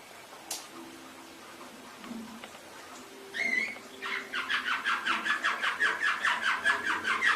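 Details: Canary tutor recording: quiet start with a few faint notes, then a lower, rhythmic rolling phrase of pulsed notes, about two and a half per second, steady and growing louder.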